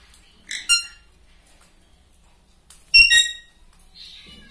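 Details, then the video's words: A pet Alexandrine parakeet talking gives two short, harsh, harmonic, shrill speech-like utterances about two seconds apart in a quiet room. "Parrot talking"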